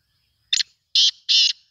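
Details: Black francolin giving a harsh, grating call: one short clipped note followed by two longer, loud rasping notes, with a fourth note beginning at the very end.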